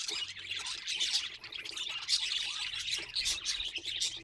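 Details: Budgerigars kept as pets give rapid, overlapping high-pitched chirps and raspy warbling notes in a steady stream of chatter.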